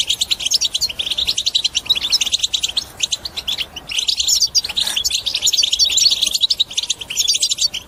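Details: European goldfinch delivering batbata song, played to get other birds singing and break silence: steady, hurried high twittering with tinkling notes and buzzy trills, pouring out almost without pause for the full stretch.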